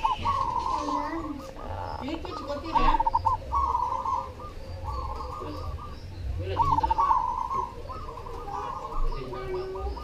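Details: Cemani zebra dove singing. Rapid purring, trilled cooing phrases come in bursts against a noisy background with scattered broadband knocks and rustles.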